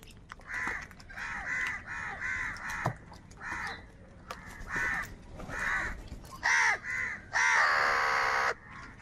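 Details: Crows, apparently fighting over food, caw in a harsh, nasal series, roughly one call a second, ending in longer, louder drawn-out caws; a second crow seems to answer.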